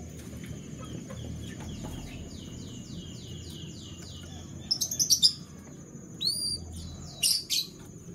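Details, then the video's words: Canary singing in the morning: a run of clear down-slurred whistles repeated about twice a second, then short bursts of sharp high chirps, with a steady high-pitched whine throughout. "The Sweet Sound of Canary Birds - Canary Song"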